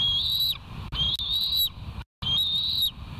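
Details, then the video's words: Bald eagles at the West End nest on a live nature cam, 08/17/2023 at 07:41: three drawn-out, high, thin whistles, each rising slightly and lasting about half a second to a second, separated by short pauses, over a low background rumble. "West End Bald Eagles"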